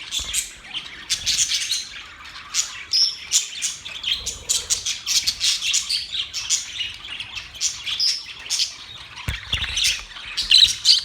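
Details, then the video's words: A group of budgerigars chirping contentedly: rapid sharp tweets and buzzy high warbles in irregular clusters, with a brief faint flutter of wings amid the chatter. "Birds chirping sounds"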